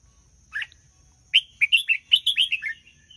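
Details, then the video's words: Red-whiskered bulbul singing a doubled phrase style, played for young birds to learn from: a lone chirp, then a quick run of about eight bright, slurred whistled notes, each dipping slightly in pitch, over a faint steady high whine. "นกกรงหัวจุกร้องเบิ้ลสำนวนเทพ ๆ"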